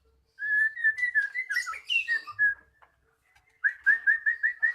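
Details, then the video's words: Magpie-robin song as a lure for a bird that has stopped singing: a run of clear level whistles, a jumbled scratchy warble, and a final quick string of bright repeated whistled notes. "Pancingan Burung Murai Macet Jadi Gacor"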